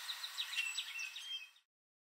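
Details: Common Grackle perched in a backyard tree in Southern Ontario, Canada, late in the evening, giving a quick jumble of high, squeaky chirps and short rising notes for about a second and a half, over faint hiss.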